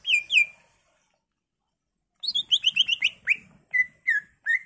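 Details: Greater green leafbird singing a varied song to coax replies from other leafbirds. Two clear whistles come first, then after a gap a rapid chattering run, ending in spaced, falling whistled notes.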